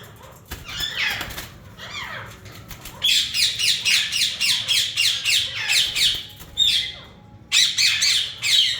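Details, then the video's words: Breeder pair of yellow Indian ringneck parakeets: a few scattered harsh calls, then a fast run of rasping, rhythmic squawks nearly four a second for three seconds, a pause, and another burst of screeches. "Yellow Ringneck natural sounds"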